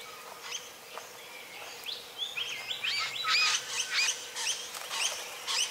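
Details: Satin bowerbird in courtship: a quickening series of short, sharp chirps and clicking notes, some whistled and upslurred, building into loud, rapid bursts about twice per second over faint background hiss.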